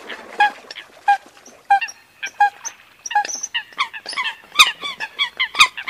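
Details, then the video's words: Eurasian coot calls: short nasal honking notes repeated at first about every half second, then quickening into a busy run of overlapping yelping calls toward the end. "Tiếng sâm cầm mới nhất 2022"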